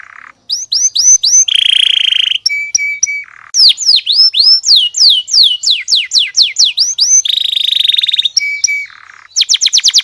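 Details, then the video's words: Canary song mixing quick downslurred whistles, short sustained buzzy tones and steady flat notes, shifting between trills and separate sweeping phrases with brief pauses. "Burung kenari Suaranya bikin heboh burung kenari tetangga sebelah"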